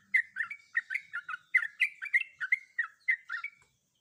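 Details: Female sooty-headed bulbul in breeding condition calling a male, played to encourage ropel singing; about a dozen quick, bubbly chirped notes in a rapid run, ending abruptly.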